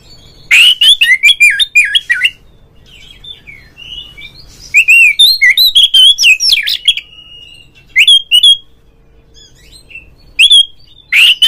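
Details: Oriental magpie-robin song played as a rival lure to make a kept bird sing and fan its tail; loud bursts of fast varied whistles and harsh notes separated by quiet gaps, with short single calls near the end.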